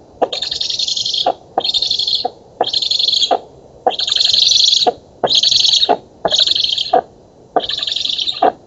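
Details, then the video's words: Black stork nestlings begging as they are fed at an oak nest in Poland, 11 August 2017, captured by a nest camera. Seven rhythmic, loud wheezing hisses follow each other about once a second. "Bociany czarne z Polski (dąb) 2017 08 11 Karmienie"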